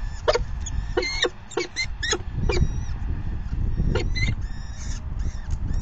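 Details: Falcon begging at the nest during the fifth feeding, May 9, 2020, 4:40 PM: harsh, broadband rasping calls in irregular bursts, some doubled, over a steady low rumble of wind or microphone noise.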